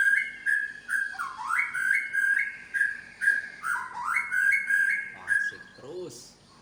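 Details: Medan-type white-rumped shama showing its imitated repertoire, with strong rising whistles and level held notes cycling about twice a second, then a brief low squeak before the phrase fades out.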